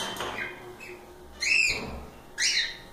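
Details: Cockatiels out of the cage, playing freely; a faint chirp early, then two loud arched whistled notes about a second apart over quiet room noise.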